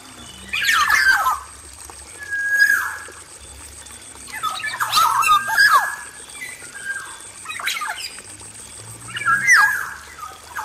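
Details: Aviary-kept male Black-naped oriole: short bursts of harsh rasping notes mixed with brief whistles, recurring about every two seconds, separated by quiet gaps filled with a constant high hiss.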